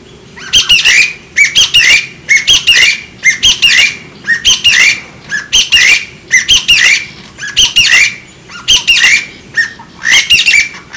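White-breasted waterhen giving harsh, croaking squawks in quick pairs and triplets, repeated steadily through the clip with no pause between phrases.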